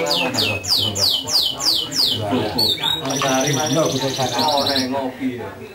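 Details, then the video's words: Canary song that opens with a fast series of descending whistled sweeps repeated about four times a second, then moves into a sustained high rattling trill, while people talk underneath. "Suara Merdu Burung Kenari"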